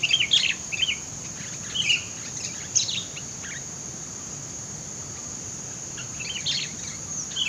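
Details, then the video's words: Sooty-headed bulbul calling amid scrubby bushes, sound played to lure birds: scattered short chirps and quick twittering notes, with a quiet gap mid-way, backed by a continuous shrill insect hum. "mikat burung kutilang tengah belukar"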